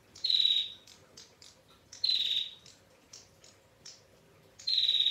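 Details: Female bar-winged prinia in full voice, long clear 'ngetir' trilling: three strong buzzy high-pitched notes repeated about every two seconds, separated by faint quick chirps and ticks.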